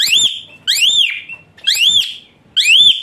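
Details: Bright upswept whistles that curve over and fall, four in about three seconds, each followed by a brief level tail, from an Asian pied starling played to coax a lazy-singing starling into song.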